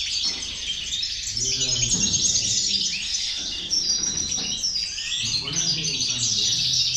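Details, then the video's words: European goldfinch song meant to motivate goldfinches: an unbroken stream of bright, jangling twitters and chirps from several birds, with brief low rumbles in the background. "corona de caderneras, motivador de jilgueros"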